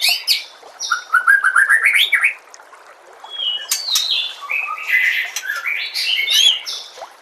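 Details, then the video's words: White-rumped shama song played to train kept birds: a quick rising series of warbled notes, a short pause, then a varied stretch of whistles, trills and sharp high chips. "MASTERAN MURAI BATU"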